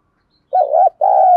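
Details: Spotted dove in the Thổ voice style, a calling and cooing bird kept as a decoy, giving one low two-part coo: a short wavering note, a brief break, then a longer steady hooting note. No other sounds.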